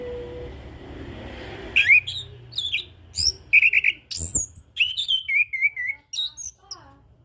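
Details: Orange-headed thrush (anis kembang, punglor) singing in relaxed ngeplong style for tutoring and prompting: after a quiet start with low hum, a fast run of varied whistled phrases with sharp rising and falling notes and brief chirps, roughly every second.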